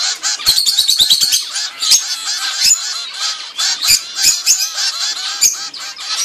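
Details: Zebra finch chicks a few weeks old begging while their mother feeds them: a dense, continuous chorus of high, rasping chirps and squeaks with rapid overlapping notes and a few soft taps.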